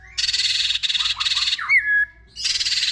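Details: White-rumped shama mixing harsh buzzy rattles with one clear downslurred whistle, then another rasping rattle, part of a multi-voiced song used to excite other shamas into singing.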